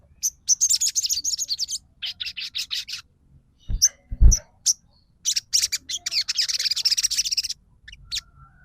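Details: Bar-winged prinia singing vigorously: rapid bursts of short, high, dry chirps in fast runs, each burst lasting about one to two seconds with brief gaps, plus a couple of low thumps midway.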